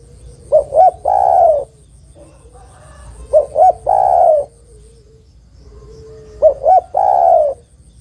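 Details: Spotted dove female calling to attract the male. Three evenly spaced phrases each give two short coos and a longer throaty coo. A soft hum lies beneath.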